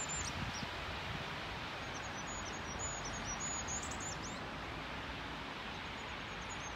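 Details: Goldcrest's first song of the year, 10 March 2022, on a footpath at Lasarettsvägen, Haga: rapid series of very high, thin notes, faint above a steady roar of background noise.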